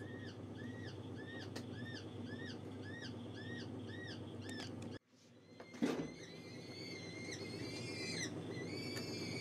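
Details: Gyrfalcon hybrid kept for falcon breeding, calling in a regular series of short arched notes, about two per second, then after a brief break longer drawn-out harmonic calls; constant low hum and a sharp knock.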